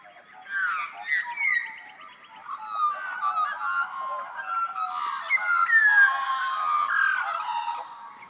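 Australian Magpie in a rich, flowing warble of fluting, gurgling notes and slurred whistles, layered and continuous throughout, rising in intensity toward the end.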